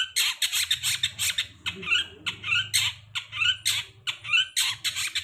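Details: Long-tailed shrike lure song, meant to prompt a bird to sing after molting: dense, harsh, scratchy notes in rapid, uneven bursts, with squeaky whistled fragments woven through and a low hum underneath.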